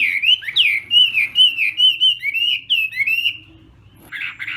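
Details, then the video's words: Chinese hwamei singing at morning practice: a run of clear, loud whistled phrases, each swooping up then down, about two per second, ending with a pause and a short harsh burst. "hoạ mi hót sáng luyện giọng"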